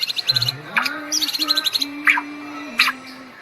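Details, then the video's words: Bowing Medan white-rumped shama gives a rapid burst of high chirps, then scattered sharp rising notes over a steady low hum. "Murai medan bisa sampai sujud sujud nih"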